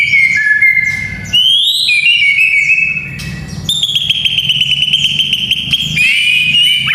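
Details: White-rumped shama played to young fighters: long, pure, level whistles held for a second or more, stepping up in pitch, broken by short high flourishes, over a faint low hum.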